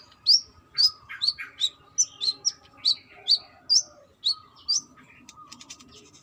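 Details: A female brown-throated sunbird gives rapid, slightly irregular high chips while calling a male, about two a second, tailing off into quieter notes.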